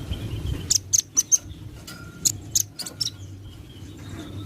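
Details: Velvet-fronted nuthatch (rambatan paruh merah), recorded as a training song for other birds, giving scattered sharp high chips in small clusters over a low steady hum.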